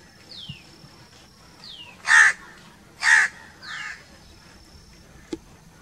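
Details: A crow gives two loud harsh caws about a second apart and a softer third, while other birds add thin falling whistles before and after.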